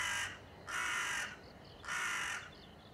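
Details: Three coarse crow caws in quick succession, each around half a second, recorded on 30 September 2020 with faint high chirps between calls.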